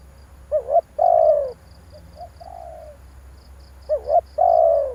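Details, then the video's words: Decoy call of a spotted dove used in trapping: two phrases, each a pair of quick rising notes then a long, husky, sinking coo, with a soft low coo between them. "tiếng chim cu gáy kích bổi hay"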